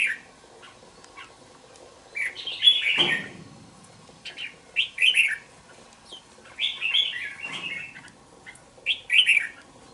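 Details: Caged young red-whiskered bulbul, about two months old, housed in a bổi cage, repeats short liquid warbles every one to two seconds. Brief low thumps, likely wing or cage movement, are heard twice.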